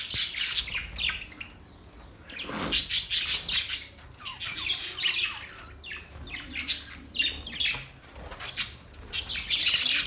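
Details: Several budgies singing in lively bursts of buzzy, chattering chirps and harsh squawks, the bursts separated by short lulls, with busy overlapping voices throughout.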